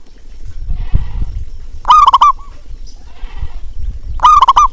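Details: Local zebra dove used as a lure call to prompt reluctant doves to sing: two loud, rapid, bubbling coo phrases of about half a second each. Softer rattling chatter and low rumbling background fill the gaps.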